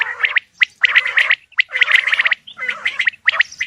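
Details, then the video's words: Male Coturnix quail calling: harsh, gargling, raspy bursts of clipped notes in quick runs, separated by brief silent gaps. "Male Coturnix Quail Calls / Sound"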